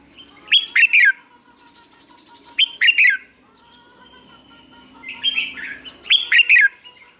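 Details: Red-whiskered bulbul lure song meant to coax caged bulbuls into singing: quick rich warbling phrases in close succession, several bursts within seven seconds, soft background noise.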